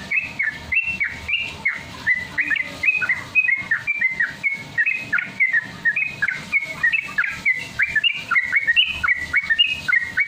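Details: Yellow-vented Bulbul song used as a lure to train bulbuls to sing: a busy, bubbling run of short chirpy whistled phrases, fast and overlapping, as if several birds were singing at once.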